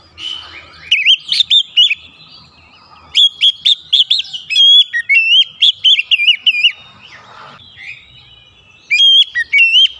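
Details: Kacer, or Oriental magpie-robin, in a therapy recording meant to bring out varied fill songs: three bouts of quick, sweet whistled phrases, each a chain of looping notes, separated by short quiet gaps.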